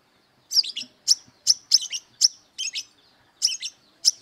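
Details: An aggressive brown-throated sunbird looking for rivals to fight gives a lively run of about ten short, shrill, high-pitched chirps, spaced unevenly and sometimes paired.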